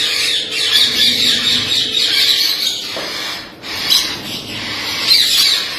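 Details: Blue-headed rainbow lorikeet parrot screeching in harsh, high bursts, with a short quieter gap midway before the grating squawks resume strongly.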